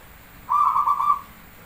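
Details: Single mellow, finely beaded cooing trill of under a second from a Javanese zebra dove (perkutut) singing as a lure, rising slightly in loudness toward its end.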